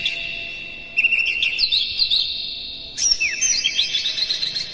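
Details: Oriental magpie-robin singing in the morning, played to rouse captive birds: a short quiet gap, then two rich bursts of rapid, twittering, whistled notes with quick slurred sweeps, steady and loud.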